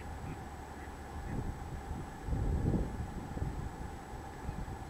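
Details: Eurasian bittern (Botaurus stellaris) booming at A Frouxeira lagoon in 2012: a deep, hollow boom that swells and fades midway, over a steady background rumble and faint hum.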